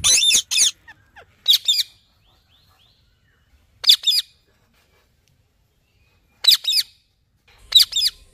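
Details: Rose-ringed parakeet (green ringneck parrot) giving shrill, harsh squawks, mostly in pairs of quick bursts, spaced irregularly with near-silent gaps between them.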